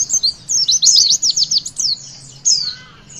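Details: A short, loud witwit phrase of Javan white-eye song, used to get young birds singing: a dense run of fast, very high, zigzagging notes, followed by a fading thin whistle.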